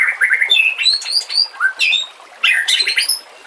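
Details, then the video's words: White-rumped shama, recorded as a training song for other shamas with water sounds: a few quick notes, then drawn-out upslurred whistles climbing high, and a loud final flourish. "Masteran murai TERAMPUH yang di pakai semua burung juara"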